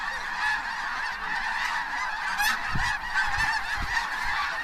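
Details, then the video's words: In January 2014 at Bosque del Apache, just before sunset, hundreds of snow geese lift from cornfields into flight, giving a dense, continuous chorus of high, nasal, barking squawks, with a few low thumps that may be wing or wind noise. "The "squawking" sound is from the geese"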